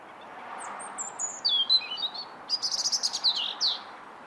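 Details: Bird chirping: thin, high sliding whistles dropping in pitch, then a quick burst of rapid repeated chirps and a final rising note, over a steady low hiss.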